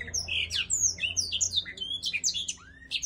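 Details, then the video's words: A black-throated laughingthrush sings a rapid, jumbled stream of high squeaky chirps and short whistles, with one clear rising slur near the end; faint indoor hum underneath. "Blackthroated singing- thạch Yến cổ đen hót múa"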